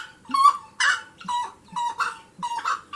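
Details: Wood rail singing, harsh broad squawks each followed by a clear, slightly falling mid-pitched note, repeated in a quick, uneven rhythm, loud and close.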